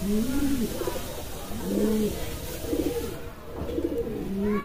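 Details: Kalsara pigeon cooing in a small room: low, rounded coos with short bubbling flourishes, repeated about once a second, with light background noise.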